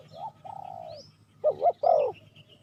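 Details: Spotted dove used as a lure for wild doves: a short hoot and a long, even, slightly falling coo, then a quick doubled hoot and a burred coo, with faint high chirping behind.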